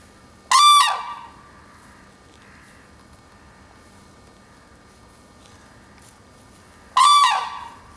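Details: Territorial duet calling by a red-crowned crane pair at the Akan International Crane Center on 9 December 2022, their chick eating nearby; two brief, loud, ringing trumpet calls about six seconds apart, separated by near silence.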